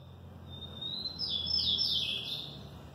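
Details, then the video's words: [3, 'Lined Seedeater song: a drawn-out high whistle swelling into sweeping, slurred notes over a soft low background rumble.'] "Canto número 13, Bigodinho."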